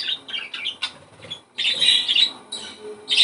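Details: Budgerigar song played to encourage breeding: quick twittering chirps at first, then a dense scratchy warble after a brief pause, ending in a loud squeaky burst.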